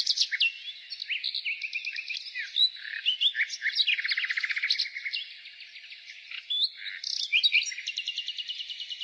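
A nightingale sings continuously, with rapid repeated notes, buzzy trills and sharp whistles shifting between phrases, all high-pitched and rich, with no other sounds.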